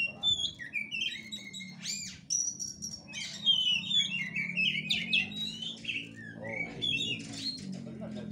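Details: Fighting-style kura kura song of an oriental magpie-robin, a varied run of slurred whistles and chattering notes, moderately loud over a steady low droning hum in the background.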